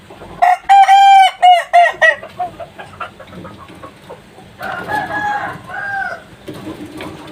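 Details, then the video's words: Kukuak balenggek chicken, a three-month-old young bird, crowing: a loud, harmonic-rich crow of several stepped, clipped syllables lasting about two seconds, then a quieter, lower follow-on phrase, with faint background noise throughout. "MASIH ANAKAN UDAH BEGINI. 10MNIT 15POIN. ayam kukuak balenggek"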